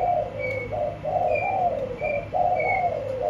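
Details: Spotted dove in a cage cooing in rolling, slightly falling husky notes, almost continuous. Thin high whistles from another bird repeat in the background.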